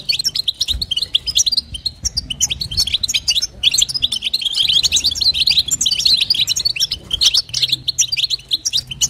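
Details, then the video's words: Female European goldfinch giving batbata and sastasa calls to excite the male: continuous, rapid, high tinkling twitters and chirps, densely packed, with slight swells in intensity. "نداء انثى الحسون لتحفيز طائر الحسون | بتبتة وستسته جديده"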